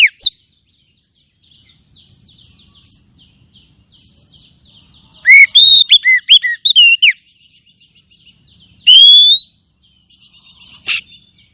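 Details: Oriental magpie-robin lure song for kacer: a long stretch of soft, scratchy chattering warble, broken by a burst of loud whistled slurs, a brief rising note and one sharp high note near the end.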